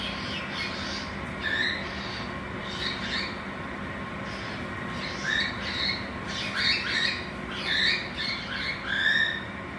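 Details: Pet cockatiels fighting, squabbling with harsh, scratchy squawks and short rising whistles, several every few seconds.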